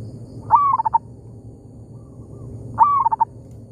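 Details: Local zebra dove calling in an oil palm plantation, trading calls with a decoy: two stuttering phrases, each a rising opening note then four or five quick staccato coos, a faint reply heard between them.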